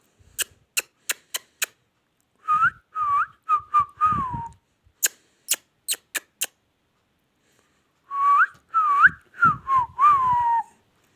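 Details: Indian ringneck parrot indoors: a run of sharp clicking taps alternates with bursts of clear whistled notes, some rising and some falling, delivered in quick groups of four to six, with quiet pauses between bursts.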